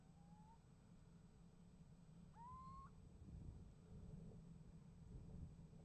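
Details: Calling little owl answered by another, nest box recording from 28 January 2015: a faint, short rising note opens, then one strong upslurred mewing call near the middle, with low background rumble throughout.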